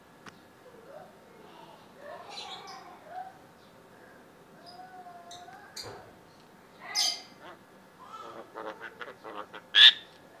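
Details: Tame yellow-eyed Javan myna, a bird able to talk, giving varied mimicked sounds: slurred mid-pitched whistles, short wavering phrases, harsh noisy bursts around the middle and a sharp high squeak near the end.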